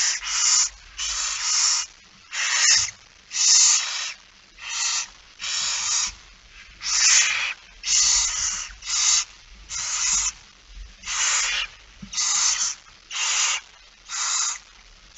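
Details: Barn owls at the nest on an early September evening in 2019 as the male brings prey: some fifteen breathy, rasping hisses, each about half a second long, repeated roughly once a second with short silences.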